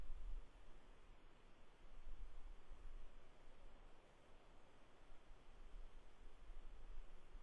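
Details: Only a low, steady rumbling noise that rises and falls like wind, with no animal calls.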